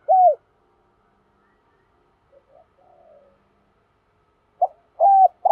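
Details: Spotted dove decoy giving a lure coo to provoke other doves: a lone hollow hoot, a long quiet gap with faint murmurs, then the next phrase beginning with clipped hoots.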